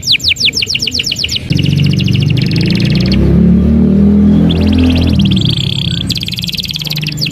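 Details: Gacor canary singing: a rapid run of sharp downward-sweeping whistles, then long high rattling trills and buzzy held notes that go on under a loud, steady low rumble covering most of the recording.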